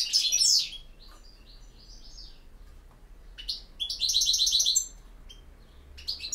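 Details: European goldfinch campero song, with a sharp twittering burst at the start, then soft scattered chirps, then a rapid, evenly pulsed buzzy trill and a few clipped closing notes.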